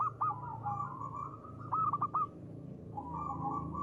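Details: Local zebra dove in ngristal-style song: short clusters of flicked cooing notes over a steady mid-pitched purring coo, against a noticeable low background rumble.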